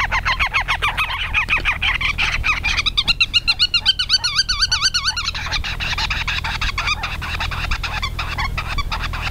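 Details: Black-tailed godwits mating at Ochsenmoor, Hüde, on 10 April 2020 at 16:10, filmed with a Panasonic Lumix GH5. Rapid nasal, wavering calls repeat several times per second, with a steady low rumble underneath.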